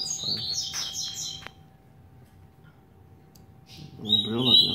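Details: Double-collared seedeater, an 8-month-old male, opens with a burst of quick, bright chirping notes, then falls quiet; a human voice and a high whistle follow near the end.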